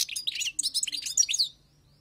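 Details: European goldfinch, caught from the wild, delivering a fast, dense stream of liquid twittering notes with tinkling trills and quick slurred chirps, about one and a half seconds long before falling silent.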